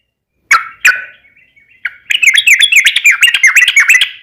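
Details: Sooty-headed bulbul song meant to stir other bulbuls into singing: two sharp opening notes and a thin trailing whistle, then a fast, chattering string of liquid warbled notes.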